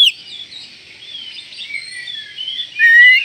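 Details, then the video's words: White-rumped shama whose call is said to stir up other shamas within seconds: a dense, continuous warbling chatter of high notes, ending in a loud rising whistle. "panggilan Kacer ini mampu mendobrak emosi semua Kacer dalam hitungan detik"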